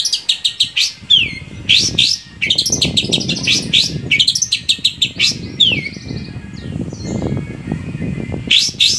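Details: Long-tailed shrike song, played to encourage captive shrikes to sing: bursts of high, quick chirps and falling whistled notes in varied phrases over a steady low rumble of background noise.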